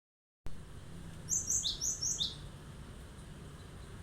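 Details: Cinereous tit in full song delivering sharp 'shots' meant to provoke other birds into answering: a quick run of high, thin chirps alternating between two pitches, about five notes in under a second, over a low steady background hum.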